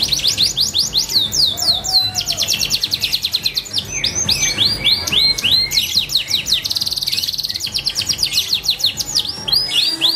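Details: Long passage of kenari F2 canary song, alternating rapid rising whistles, rolling buzzy trills and clear sweeping notes, phrases changing every second or two, high and continuous with low hum beneath.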